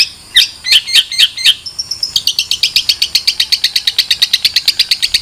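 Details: Long-tailed shrike giving a few loud, spaced, harsh chirps, then a fast, even run of high clipped notes repeated about six times a second until the end.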